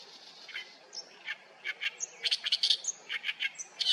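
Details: Oriental reed warbler in a reed bed at Haenam, Korea, giving its grating song: rapid harsh chattering syllables mixed with brief thin whistles, building in loudness and repeated at a quick, uneven pace.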